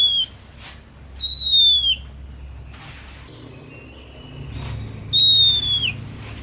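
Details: Oriental magpie-robin, locally kacer, presented as a tireless singer. Three ringing whistles, the longer ones sliding downward at the end, with soft lower tones and faint background noise in the gaps.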